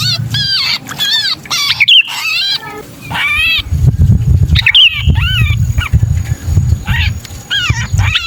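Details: Sooty-headed bulbul distress squawks, used to lure bulbuls down, sound harsh and ringing in short clusters, partly masked by loud low rumbling noise in the second half.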